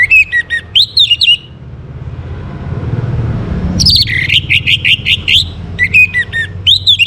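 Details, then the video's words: Orange-headed thrush singing at dawn, recorded to bring birds into breeding condition: pulsed whistled phrases that rise and fall, separated by a pause filled with low rumbling, then a long stuttering run. "Naikan Birahi ANIS MERAH pancingan PAGI HARI"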